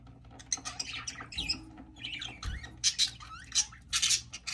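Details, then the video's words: Baby budgerigar at hatching: a run of thin, high squeaky chirps and scratchy squawks, some rising or falling, coming in irregular bursts about twice a second, with soft rustling and a low hum in the background. "Baby Budgie Hatching"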